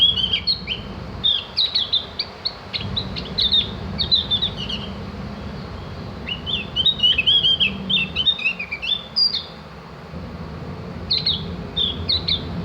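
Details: Javan grey-throated white-eye (local names opior jawa, cak gentong) giving master song for training birds: fast, high twittering runs and chattering slurred whistles in bursts separated by short pauses, over light low background noise.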